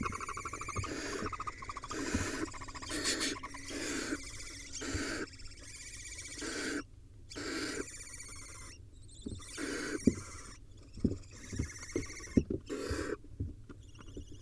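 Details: Wild barn owl nest camera during a prey delivery, the male bringing a nestling swallow to the young. Loud, overlapping raspy hisses and rustling movement fill the scene almost continuously, with brief quieter gaps.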